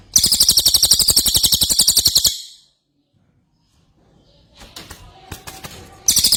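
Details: Ashy tailorbird in full song, a long burst of quick, piercing, high-pitched repeated notes lasting over two seconds. Silence and scattered clicks and knocks follow before the rapid series starts again.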